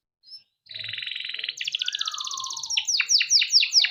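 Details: Male canary song for training young canaries: after a short silence, a long buzzy rolling trill shifts higher, then breaks into regularly repeated steep downslurred notes.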